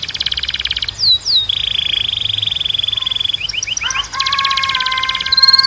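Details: Canary training song used to make canaries sing: loud, rapid rolling trills and pulsed tours, a long buzzy roll, quick downward slurs, then a layered steady whistled trill, all very clean with no background noise.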